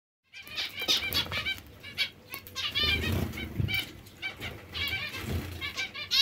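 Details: Hungry zebra finches beg with a steady run of buzzy, nasal calls, after a brief silence at the start, with soft thumps and rustling below.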